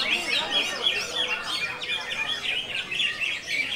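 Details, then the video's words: Greater green leafbird singing in the "konslet" style: a dense, rapid stream of high chirps and short buzzy notes, tumbling without pause, with fainter lower chirps underneath. "CUCAK IJO KONSLET"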